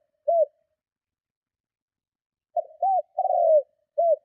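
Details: Spotted dove cooing strongly to provoke and attract other doves; a lone short arched note, a long gap, then a quick stutter, a rounded coo, a longer burred descending coo and one more short note.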